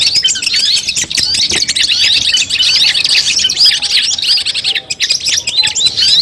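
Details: Long-tailed shrike song compiled as training audio ahead of a contest, an unbroken rush of sharp, high twitters, quick slurred whistles and chattering notes layered thickly together.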